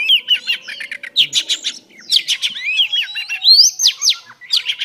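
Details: Female Oriental Magpie Robin singing to stimulate males, giving busy rising and falling whistles and quick chirps, with a faint low hum in the background.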